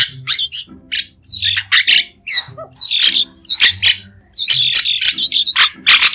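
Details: Harsh, squawky phrases from a White-shouldered starling, each a short burst of grating chatter separated by half-second silences, ending in a dense run of scratchy notes.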